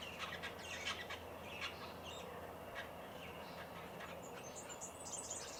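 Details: A group of five White-browed babblers (Pomatostomus superciliosus) bathing and drinking at a country garden bird bath in Victoria, Australia, on 1 November 2021 give faint, scattered squeaky chatter notes at an irregular pace over a steady low hum.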